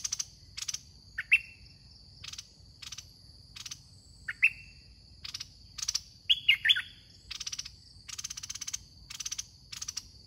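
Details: Red-whiskered bulbul serving as a trapping decoy in a cage makes short rising whistles, then a fuller burst of quick liquid notes. Pulsed buzzing insects and a high drone continue throughout.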